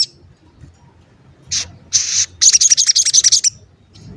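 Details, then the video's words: Gacor sogon used as a lure to make other sogon call and get agitated, with "cuit cuit" calls. After a quiet start, two brief high bursts lead into a rapid run of about eleven sharp, high chattering notes lasting a second. "Pancingan Sogon Agar Bunyi dan Emosi, Sogon Bahan Auto Nyaut dan Cepet Rajin Bunyi"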